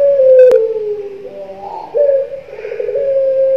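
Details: Young ringed Barbary dove, a puter pelung bird, giving a drawn-out tonal coo. The note dips slightly, wavers briefly in the middle, then returns to a long level tone, with one sharp click near the start.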